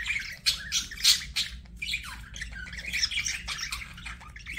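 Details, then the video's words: Chirps and squawks from a budgerigar, quick and uneven, some notes sliding downward, with a few loud sharp squeaks early on within nonstop chattering. "BUDGIE CHIRPING SOUNDS"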